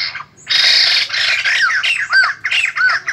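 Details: A white-crested laughingthrush sings in a 2020-season song-training recording, giving harsh, rasping chatter mixed with loud, clear down-slurred whistles, repeated in quick bursts.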